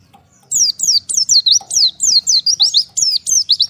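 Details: Oriental white-eye separated from its flock, calling to the others: after half a second of quiet, a fast run of high, thin, sharply falling chirps in tight clusters, with brief pauses between bursts.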